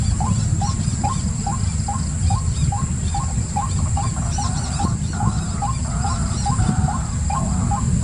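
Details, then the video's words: Continuous pulsing call of a white-breasted waterhen, a short rising note repeated steadily about every half second, with brief high chirps and a dense low background rumble. "White Breasted Waterhen"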